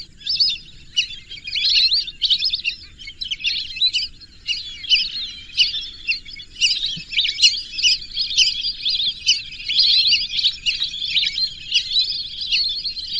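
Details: Lesser whistling ducks produce a long, busy wash of high whistles and squeaky twitters that pulses in loudness but never stops, with a faint rumble below.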